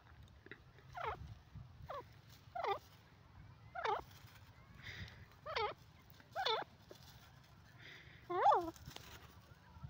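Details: Pair of black francolins (dakhni teetar) calling: a series of sharp, downward-sweeping notes at irregular intervals of about a second, some doubled, with a low steady background hum.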